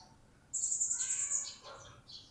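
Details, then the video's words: One long, piercing high whistle slurring down into squeaky twitters, from a blue-crowned hanging parrot kept caged and newly acquired, just beginning to sing. "Serindit Yang Baru Dapat Sudah Mulai Berbunyi???"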